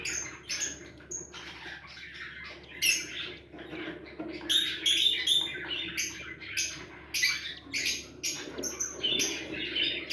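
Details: A pet cockatiel (Nymphicus hollandicus) gives sharp, scratchy chirps in quick bursts, repeated every second or so.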